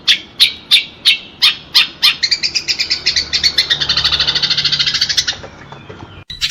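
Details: House sparrow fighting, a sound meant to train pet birds: several spaced, single sharp chirps, then a fast run of rapid chirping that fades away.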